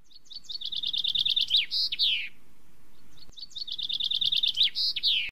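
A crested bunting gives a quick run of bright, even notes, then a higher buzzy note and a falling slur, twice. A low murmur runs underneath.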